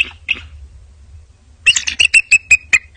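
Bald eagle giving two thin opening notes, then a quick run of about eight sharp, high piping chirps, slightly falling at the end; faint low rumble beneath.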